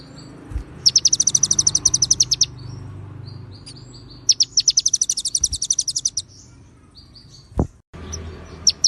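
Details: Shama (murai batu) in konin style, its song filled with cililin and ciblek phrases and left with clean pauses: two rapid bursts of about fourteen high, dry, evenly spaced notes, separated by a quiet stretch and a faint thump.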